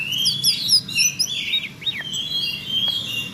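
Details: Female Oriental magpie-robin in cretekan chattering: bright whistled notes, slurred and looping, mixed with quick high chips, delivered almost without pause over a faint low background hum.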